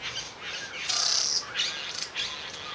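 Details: Satin bowerbird male displaying to a female in a mating ritual; one loud, harsh, buzzing rasp lasting half a second, followed by softer scratchy churring notes.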